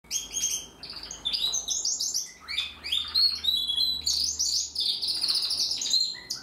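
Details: Young Timbrado canary, hatched in 2020, practising its song: a continuous run of rapid chirps and trills, with quick shifts between higher and lower notes and a faint low hum beneath.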